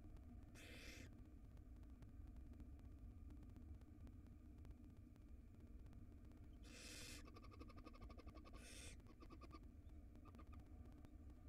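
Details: Nest-box recording of a tiny wild barn owl nestling eating a rodent's tail: three brief breathy hisses, one early and two close together near seven and nine seconds, amid constant low hum and clicking.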